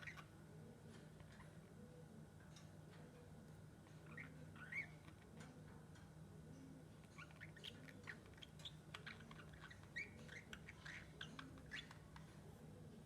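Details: A pet lovebird makes sweet sounds while playing with a bell: scattered short, high squeaky chirps and twitters over a steady low hum with a soft, rhythmic rising-and-falling tone beneath.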